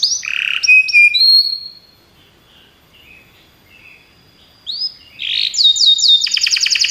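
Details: Singing Belgian canary: bright trills and clear whistled notes, a quiet pause with faint soft notes, then a rising phrase into a fast repeated trill.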